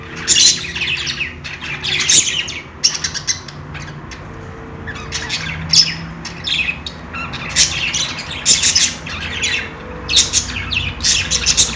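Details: Budgies playing, giving loud clusters of sharp chirps and squawks broken by brief quiet gaps, plus occasional softer twitters and a low steady hum.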